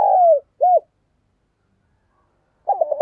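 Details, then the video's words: Captive decoy spotted dove giving one long falling coo and a short arched note, then a pause. A brief run of wavering notes starts at the end. "tiếng chim cu gáy mồi chuẩn cực hay// Chim cu gáy gù + gáy gọi"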